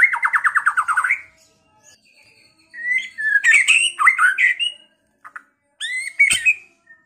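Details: White-rumped shama kept in Pekalongan, in song used to provoke rivals to fight and sing: opens with a rapid rattling trill, then after a gap delivers swooping whistled phrases and sharp ringing notes.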